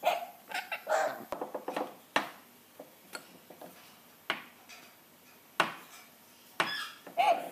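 A rainbow lorikeet imitates a dog with short, harsh, raspy barks: a rapid cluster in the first two seconds, then single yaps every second or so, indoors.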